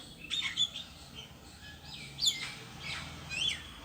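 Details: Lone bird perched on a tree calling: a few short, high chirps and thin whistled notes, with soft sweeping notes in between, over a steady low background hiss.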